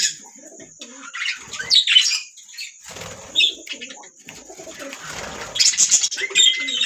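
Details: Budgerigars singing: varied scratchy warbles, squeaky chirps and a clear rising whistle near the end, over a constant high electronic whine, with wing flutters and indoor rustling.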